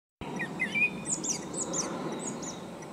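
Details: Japanese thrush song, including imitations of Japanese bush warbler and Japanese tit: a few clear whistled notes, then quickly repeated high, thin, twittering phrases, over steady background hiss.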